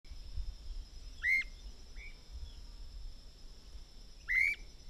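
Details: Streamer-tailed tyrant (Gubernetes yetapa), recorded 29 November 2008, gives two loud, sharp whistled calls about three seconds apart, each a quick rising-falling note with harmonics, plus a fainter note between, over steady insect hiss.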